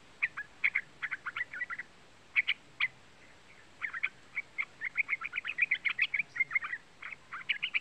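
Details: Young yellow-vented bulbul (trucukan) calling, a lure recording meant to excite other trucuk birds into singing: quick bursts of bright chirpy notes in uneven clusters, with a brief pause before livelier chattering resumes.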